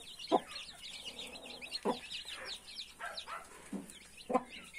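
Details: Hen with a brood of 31 newborn chicks: a few deep clucks spaced over a second apart, beneath constant high, wavering chick cheeps.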